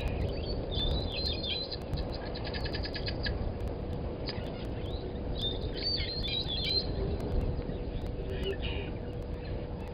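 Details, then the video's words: Brown-headed parrots at Gowrie dam waterhole, Djuma Game Reserve, Sabi Sand, South Africa, at 17:24 on 11/02/20, give shrill squeaky chirps and harsh squawks with a rapid run of repeated notes, over a steady low rumble and faint hum. "Brown-headed Parrots"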